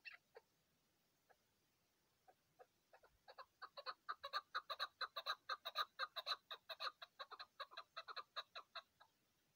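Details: Chukar partridge on a mountain, recorded during hunting, giving a rapid series of clucking chuk notes that start sparse and build into a steady, fast rhythm of about two per second.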